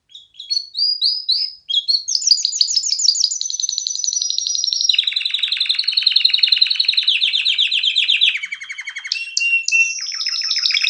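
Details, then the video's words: Canary in full song: rising whistled notes lead into long continuous rolled trills that step from high to lower pitch, with a fast chattering finish. "کنری مست/خواندن کناری مست/قناری با صدای عالی/KANARYA sesi"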